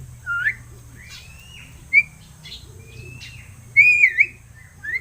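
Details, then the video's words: Seven-month-old pet crested myna learning to speak: scattered clear whistled notes, some rising and some sliding, with a longer looping whistle near the end and a low steady hum underneath. "MARTINEZ BIRD TALKING!"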